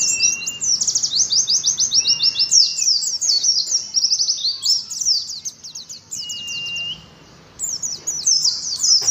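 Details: Ngalas-style song of an Oriental white-eye. Fast, high, slurred twitters pour out almost without pause, with a few long level whistled notes lower down. A short quiet gap comes near the end.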